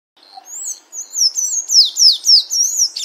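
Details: A Sayaca tanager sings in the wild, a fast, squeaky run of high thin notes, slurred up and down, several per second with a slightly scratchy edge.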